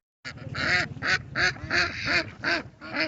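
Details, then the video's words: Ducks observed in their natural state, with a series of raspy, honking quacks roughly every third of a second after a short silent start, loud and slightly noisy in tone. "Sonido de Patos"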